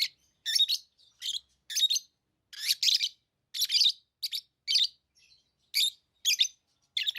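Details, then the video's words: Pet lovebirds giving a steady run of sharp, scratchy chirps, roughly one burst every half second, some doubled, high and shrill with no other sounds. "Love birds Sounds | lovebirds chirping sounds"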